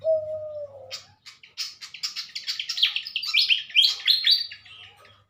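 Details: A pied fantail pair being matched in captivity for breeding and later release, Indonesia, 2023, in the morning: one low falling whistle, then a long series of stepped high squeaky notes climbing and repeating.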